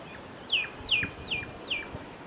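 Common myna giving four clear, high whistled notes, each slurring downward, repeated about every half second over a faint background hiss.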